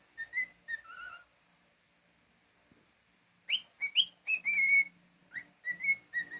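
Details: Cockatiel singing indoors as a pet: a few whistled notes, a short pause, then a lively run of rising slurs and a sustained steady whistle, ending with repeated short tones.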